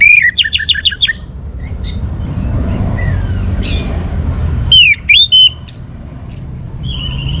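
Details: Orange-headed thrush song opening with a quick run of repeated slurred whistles, faint notes in between, then a burst of loud swooping whistles and a high sustained note, over low hum.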